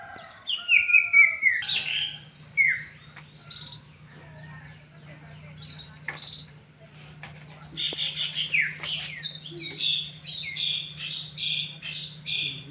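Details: Canary song, panda versus yellow canary: scattered whistled phrases and descending slurs, a quiet pause with a steady low hum, then a busier stretch of buzzy warbled notes near the end.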